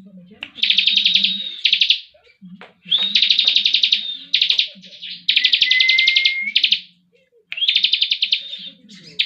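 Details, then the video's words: Caged ciblek singing energetically while moulting: buzzy, rapidly trilled high phrases, each about one to two seconds long, separated by short pauses, with a faint low hum underneath. "cikris ngebren meski lagi dokor"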